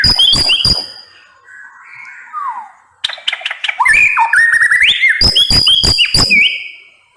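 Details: White-rumped shama song starting with hard rapid clicks, a quiet pause with soft descending whistles, then a vigorous burst of clicks and loud rising whistled phrases.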